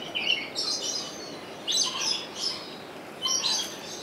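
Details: Rainbow lory at Opole Zoo in Poland, filmed on a Sony HDR-XR160E camcorder: harsh, buzzy, high screeches in short bursts, three loud groups spaced about 1.5 seconds apart, with a lower squawk beneath them.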